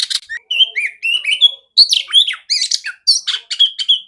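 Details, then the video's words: Female oriental magpie-robin singing with a strong, clear voice, used to train others of its kind; short whistled and scratchy notes follow each other quickly, some sliding down, some rising, with brief pauses. "Terapi burung kacer betina suara besar jernih kacer jantan"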